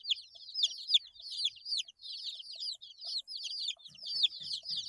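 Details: Chirping of eight-day-old baby chicks: bursts of high, sharply descending peeps from several birds, coming in clustered runs with short pauses, and faint soft knocks near the end.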